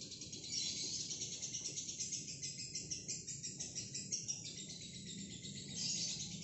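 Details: Shrill, rapidly pulsed chattering trill held without pause, the long ngekek of a single female fighter lovebird, louder at start and end, with steady low background hum.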